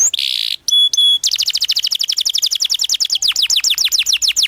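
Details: Canary in long, energetic song meant as a lure and training master for young canaries; a buzzy burst and two sharp whistled notes open into a long rapid roll of descending chips, about three per second within phrases.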